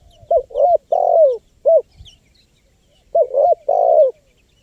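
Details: Spotted dove call as a wild-bird lure: two phrases of quick coos and a longer falling coo, the first ending with an extra short coo, over faint low noise.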